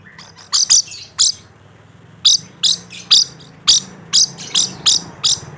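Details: Rainbow lorikeet in full voice, giving a run of about fifteen loud, shrill, screechy notes in uneven bursts, some paired or tripled, with a short pause after the first few and a faint low hum beneath.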